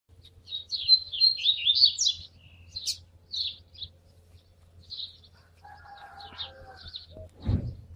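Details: Rusty-collared seedeater warming up to sing, giving scattered high chirps and short twittering phrases, then fading into quieter sounds with a low thump near the end.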